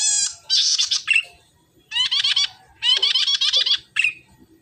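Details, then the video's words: Red-headed tit, or salome, singing to draw out other birds of its kind: bursts of dry, rapid chattering notes with rasping buzzes, three clusters separated by short pauses. "burung cici merah gacor#burung cici kepala merah gacor#buat pancingan burung cici merah pasti nyaut"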